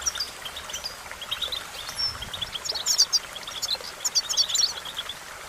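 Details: European goldfinch song for training, with scattered high chirps, one drawn-out whistle, then a lively burst of sharp twittering notes, all over a soft, steady hiss.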